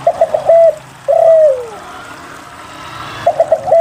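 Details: Spotted dove in lively song to prompt lazy doves to sing. Quick stuttered notes lead into a held coo, a long falling coo follows, and after a pause the stuttered opening begins again.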